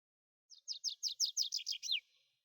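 A tree pipit sings a fast series of about nine high, sharp, down-slurred notes in just over a second, against a quiet background.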